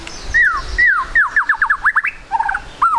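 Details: White-rumped shama song as a lure for quick singing: two long falling whistles, then a fast series of sharp rising notes, ending in a twangy descending phrase; low rumble underneath.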